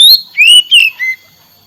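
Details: Oriental magpie-robin (kacer) giving a few loud whistled phrases, a high slurred note, two longer sweeping whistles and a softer short whistle, then silence.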